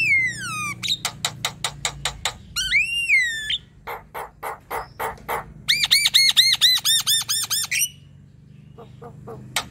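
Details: Black-winged starling singing a varied medley: a falling whistle, a rapid string of sharp clicks, a wavering whistled phrase, repeated harsh notes, then a fast rolling series of looped whistles before a few faint clicks.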